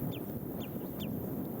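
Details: Calling common redshank, named by a bird-ID app, on an afternoon walk in Essex between Burnham-on-Crouch and Hockley with sunny intervals and a gentle breeze: three sharp, high, down-slurred notes about half a second apart against wind noise.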